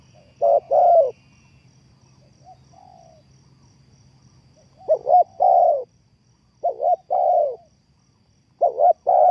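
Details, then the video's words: Spotted dove call used as a lure for trapping birds: low, mellow coos, each phrase a quick doubled note followed by a longer drawn-out coo, repeated three times with long pauses between phrases. "The Sound Of Spotted Dove is good,Bẫy cu gáy bằng mồi trồn,เสียงนกเขาใหญ่,Suara Terkukur Pikat Tua"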